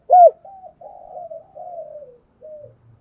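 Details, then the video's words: Decoy spotted dove for training young birds: one loud arched coo followed by softer, drawn-out murmuring coos fading downward. "Tiếng chim cu gáy kích bổi nhanh nổi hiệu quả, cu gáy mồi luyện bổi nhanh gáy và hay nhất"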